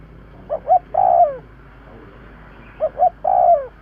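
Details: Cooing of a spotted dove, played to lure birds: two quick soft notes lead into a drawn-out, downward-sliding coo, given twice with a pause between.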